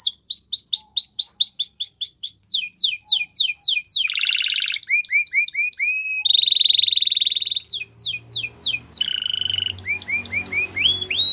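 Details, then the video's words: Canary in full song, alternating runs of quick downslurred whistles with buzzy sustained rolls and lower rising notes, phrases changing every few seconds without pause. "Canary Bird Singing | The Best Canary Song"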